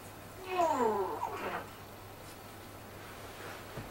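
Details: African grey parrot mimicking human speech with a Yorkshire accent, producing a wavering, falling, speech-like phrase of about a second in a small quiet room with a faint background hum.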